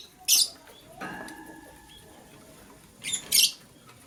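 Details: Morning chirping from a green lovebird: a sharp, high, rasping chirp, then a long pause with faint low rustling, then a quick double chirp near the end.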